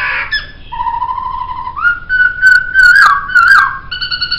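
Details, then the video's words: Laughingthrush singing for a songbird training recording: a long, level, pure whistle that steps upward, sharp accented notes cutting across it, then a final steady tonal whistle. "Masteran Suara Poksay"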